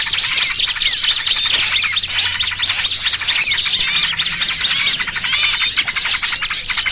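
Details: Bird-trapping lure of small birds, noisy trucukan with 'burcil kejepit': thick layers of high chirps and quick slurred twitters, irregularly repeated, with no pause.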